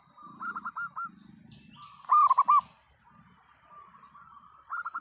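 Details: Local zebra dove in loud, steady song, giving repeated phrases of quick hollow coos, one strong burst mid-clip and softer ones around it, with low rustling sounds and a constant thin high tone in the background.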